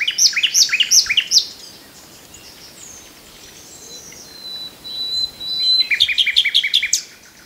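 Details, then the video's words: Common nightingale song with rapid repeated chirping notes at the start, a long thin whistle in the middle, then a fast series of sharp repeated notes. "The best Birdsong movie ever starring the Common Nightingale"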